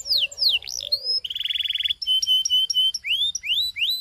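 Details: Belgian canary in varied song, used to prompt other canaries to sing: looping whistled sweeps, a buzzy rapid rattle, sharp clipped notes, then three rising slurred whistles.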